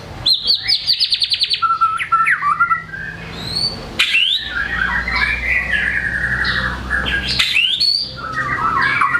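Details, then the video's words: White-rumped shama in full song showing varied material: a rapid series of about fifteen sharp repeated chips, then tumbling whistled phrases, buzzy slurs and loud chip bursts. "MURAI GACOR BONGKAR MATERI, PANCINGAN MURAI MALAS BUNYI AGAR GACOR"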